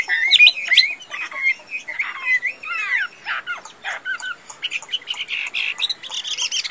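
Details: A tame fighting hwamei sings a varied, somewhat quieter medley of short whistles, rapid downslurred sweeps and buzzy chattering notes, ending in a high, hissing rattle.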